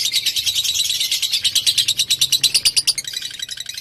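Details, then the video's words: Fighter lovebird song, played as a lure to get another lovebird singing. A rapid, rhythmic chatter of shrill, bright notes pulses steadily, turning thinner and slightly lower in the final second. "LOVE BIRD MU DIJAMIN NYAUT!!! DENGAN PANCINGAN LOVE BIRD FIGHTER INI."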